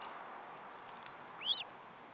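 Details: Osprey at its nest during a meal, 14 July 2012; one brief arched, whistled chirp near the end of the clip over a dull, muffled hiss.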